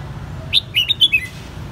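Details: Red-whiskered bulbul kept in a cage in Saigon, Vietnam, hand-raised since its white-cheeked youth, gives a lively phrase of five sharp, bright whistled notes in under a second against low background rumble.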